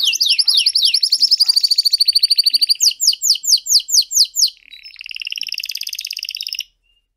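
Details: Canary song from one of three birds described as master singers: fast, bright high-pitched trills and rolling repeated notes, shifting through several tours, then a buzzy sustained rattle before ending abruptly; no other sounds.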